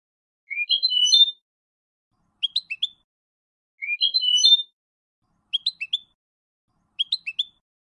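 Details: Malaga-style song of a European goldfinch, recorded for young birds to memorise: a buzzy rising whistle phrase alternates with short clusters of bright twittering notes, the pattern repeated twice with clear pauses.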